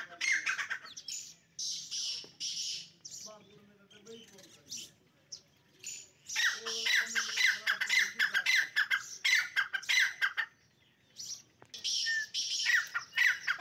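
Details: Dakni teetar partridges fighting, with harsh, broadband squawking bursts in loud clusters separated by quieter gaps. Lower, wavering tonal notes run underneath the middle stretch.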